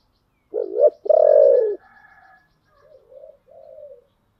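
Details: Spotted dove singing in the thổ style (giọng thổ): a loud short coo, then a long, even, slightly falling coo, followed by softer, fainter trailing notes. Quiet background.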